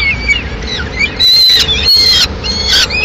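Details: Peregrine falcon at a nest in Madrid, mid-morning, as the female arrives carrying the remains of a pigeon: thin whistled calls with harmonics, some sliding up or down, broken by louder harsh bursts.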